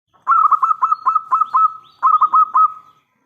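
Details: Local zebra dove, a loud and lively singer with a big voice, used as a lure so other doves answer at once. A rapid run of rolling, bubbly coos, two phrases of several quick repeated notes separated by a short pause.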